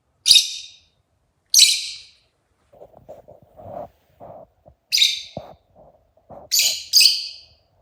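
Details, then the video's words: Rosy-faced lovebird, very chatty, uttering loud, shrill, harsh chirps in irregular bursts, five in about eight seconds, with soft mid-pitched clicking and tapping sounds between them. "Lovebird singing and chirping sounds|very chatty bird"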